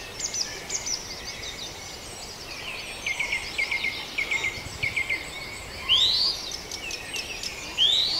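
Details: Birds in the Farndale dawn chorus, with a run of short, rapid ticking notes in the middle followed by two loud upward-sweeping whistles, set against a busy wash of distant high chirps.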